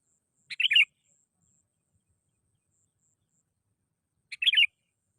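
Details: Sooty-headed bulbul calling as a lure sound: two short, bubbly bursts of tumbling whistled notes separated by about four seconds of silence.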